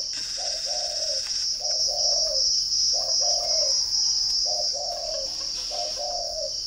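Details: Spotted dove from a Ba Vì bird farm in Hanoi, Vietnam, repeating a low two-part coo, short then long and gently falling, five times at about one-second spacing, with loud steady cricket trilling throughout.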